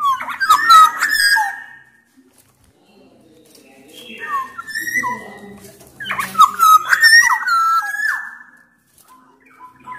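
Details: Black-naped oriole, said to come from Sumbawa, sings vigorously: repeated phrases of clear fluting whistles that slide and bend, alternating with harsh chattering notes, three song bursts separated by quieter gaps over ten seconds.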